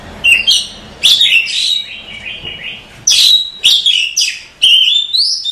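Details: Female Oriental magpie-robin calling a male at night: loud bursts of bright whistles and sharp chirps, sweeping up and down, given in rapid phrases separated by short pauses, with a clear background.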